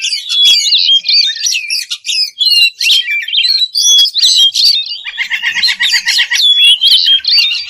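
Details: Kacer, the white-rumped shama, singing to provoke a rival: loud varied whistles and harsh notes, then a long buzzy rattling trill, ending with clear whistles.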